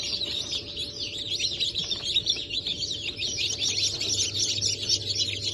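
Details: Many just-hatched chicks of Brahma, Sultan, Sussex and Wyandotte breeds, 28 January 2024, cheep constantly in shrill, slurred notes that overlap into a steady chatter above a faint low hum.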